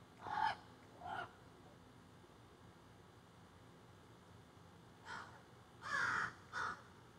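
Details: Several crows in trees behind a yard, recorded by phone while squawking; scattered harsh caws, two early, then a tight burst of three louder rasping caws, with a steady low background hum.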